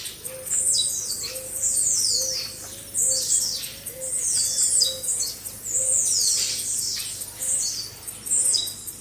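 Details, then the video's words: Group song of blue-black grassquits for training caged birds: bursts of shrill buzzy downslurred notes come and go every couple of seconds, above a steady low arched tone repeated about once a second. "Baderna de Tiziu Ótima Para Foguear"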